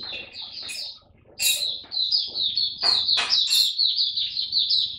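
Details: Kept white-eye on day fifteen of a song supplement, 3 November 2022, sings a shrill rapid twitter that breaks off for a moment, then resumes steadily, interrupted by a few sharp clicks or knocks.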